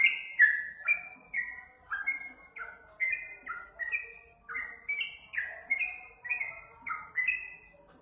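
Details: Sooty-headed bulbul giving a lure song: a steady run of bright whistled phrases, each a short note slurring down into a lower one, repeated about twice a second for eight seconds, with no other clear sounds.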